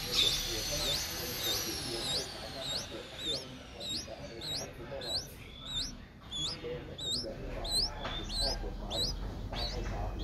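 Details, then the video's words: Seven-day-old Streak-eared Bulbul nestling, at the age its eyes open, recorded 9 April 2023 in Ubon Ratchathani, Thailand. Long high thin tones at first, then short upward-flicking squeaky calls repeated about one and a half times per second, over low rumbling background. "นกปรอดสวน อายุ 7 วัน : Streak-eared Bulbul (Pycnonotus blanfordi)"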